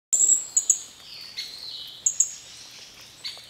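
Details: Green-backed flowerpecker calling: thin, very high sharp notes in short bursts, with fainter downward-sliding whistles between them and quiet background.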